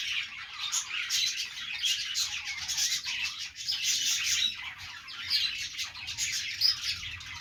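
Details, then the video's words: Pet budgies playing produce a restless stream of scratchy chirps, squawks and twittering, loud and overlapping, with short thin whistles breaking through now and then. "budgies playing sounds | parakeet chirping sounds"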